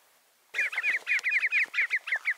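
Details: Rufous-bellied seedsnipe giving quick, mid-pitched, slightly nasal double notes, about six per second, in a steady loud run after a quiet start.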